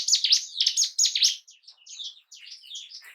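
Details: Bar-winged prinia (ciblek gunung) song meant to trigger breeding drive and aggression in caged birds: a quick series of sharp, high, sweeping notes, then softer twittering slurred whistles.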